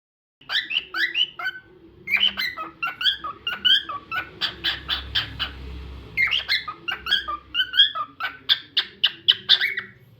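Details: Cockatiel singing a lively run of short whistled chirps, many sliding up or down, in dense bursts with a brief pause near the middle; a faint low hum sits underneath.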